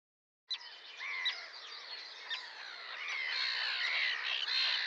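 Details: Sandwich tern chorus beginning abruptly: scattered sharp squawks soon merge into a continuous, rising mass of harsh, grating calls from many birds.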